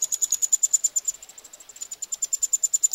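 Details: Begging of Eurasian wryneck chicks being fed, Pribytki, Russia, 2 July 2018: a continuous high, thin pulsing series that fades slightly in the middle then grows louder.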